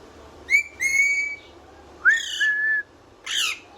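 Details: Pet parrot whistling: two bright whistles, one short and one held, then a rising note sliding into a level tone, ending in a harsh buzzy squawk.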